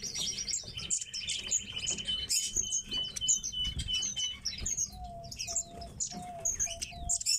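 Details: Tits kept indoors chatter in high, scattered chirps over a steady thin whistled tone, with some wingbeat flutters. Later a lower, clear whistled note repeats about every half second.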